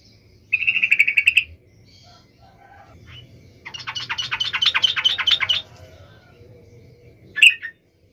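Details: Yellow-vented bulbul singing to provoke other bulbuls into angry replies, amid low background rumble: a rapid chattered trill, then a long dense buzzy rattling phrase, and finally one sharp loud chip.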